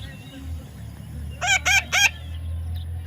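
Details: Young parrot calling: three quick rasping notes, each with a curved, bending pitch, bunched within about half a second, with a low background hum throughout.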